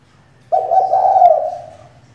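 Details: Decoy female spotted dove, used to provoke males to call, uttering a single sustained low coo, steady and slightly wavering, lasting over a second before tapering off against a faint low hum.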